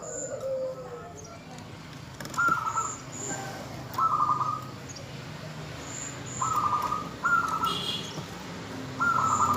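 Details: Zebra dove hen calling the male, giving short, rattling trilled bursts roughly every two seconds after one soft low coo. A steady low hum and high, thin chirps sit behind it.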